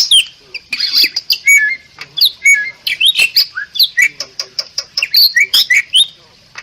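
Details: Song of the Bali myna, noted as ever rarer in the wild: a dense, unbroken stream of sharp chirps, harsh squawks and quick whistled slurs packed into a few seconds, almost all high-pitched.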